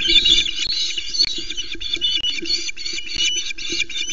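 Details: Osprey at a nest at Loch Arkaig, filmed by live nest camera as the first fish arrives very late and the female seizes it, flapping the male away: dense, harsh, overlapping chattering calls over low thumps and rustling.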